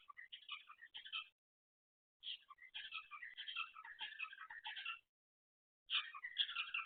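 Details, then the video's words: Pet cockatiel at night making odd noises: bursts of scratchy, chattering warbles and squeaks, mid to high pitched, in three runs separated by silent pauses of about a second. "cockatiel makes some weird noises in the night"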